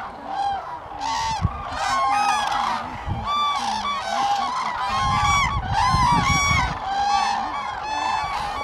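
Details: Massed common cranes at Lake Hornborgasjon in Sweden, April 2017: many trumpeting calls rising and falling in an unbroken chorus, with a low rumble in the middle.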